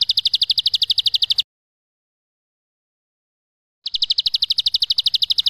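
A Bar-winged prinia gives a long, fast, buzzy trill of high, even notes, about ten a second. It breaks off for a silent pause, then resumes.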